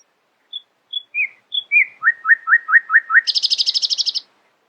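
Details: Early-morning nightingale song: a few spaced high pips, slurred notes, six rich descending chirps in a row, then a rapid buzzy rattle of many quick high notes.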